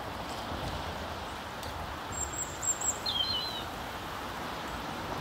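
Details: A European serin in Ljubljana Botanical Garden, Slovenia, on 18 January 2023 gives a few very high, thin, jingling notes, then a short lower trilled note, over steady background hiss and rustle.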